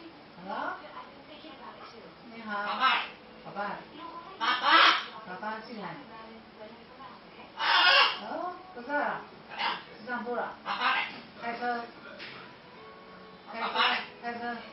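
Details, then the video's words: A pet blue-and-yellow macaw holds a conversation with a woman, trading loud, raspy squawks and speech-like phrases with her voice in bursts every two to three seconds. "琉璃金剛鸚鵡 朱迪迪 與 丈母娘的對話"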